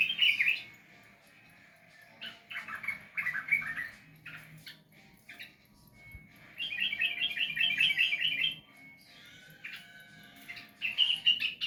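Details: Sooty-headed bulbul song meant to encourage a bird that rarely sings: bouts of fast, bubbling whistled chatter separated by quieter pauses with scattered single notes.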